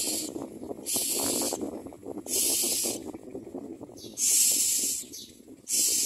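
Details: Begging common myna nestlings, mouths open for food, make loud breathy hissing bursts, five in quick irregular succession, each around half a second, over constant soft clattering in the nest.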